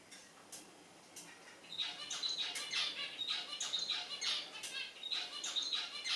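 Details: Western jackdaw (Coloeus monedula) family foraging in a garden in Groningen, Netherlands, 29 June 2021: several birds give harsh nasal squawks in quick uneven bursts, with a few soft clicks and rustles early on.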